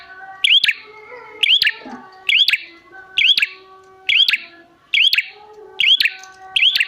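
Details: Prinia call used to draw wild prinias into calling back: loud clicking, upward-bending whistles repeated about once a second in a steady rhythm, with quiet chirps behind.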